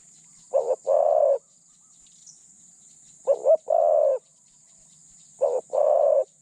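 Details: Medium-voiced spotted dove used as a decoy to trap other doves gives three low cooing phrases. Each has a short doubled note and then a sustained hollow coo, about two seconds apart, with light background hiss.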